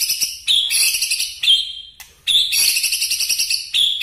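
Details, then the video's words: White-rumped shama singing in the 'nembak' style: dense, shrill, rapid high notes with buzzy trills, broken by a held whistle near the middle and a brief pause before the bursts resume. "Murai batu nembak2 bikin kaget aje"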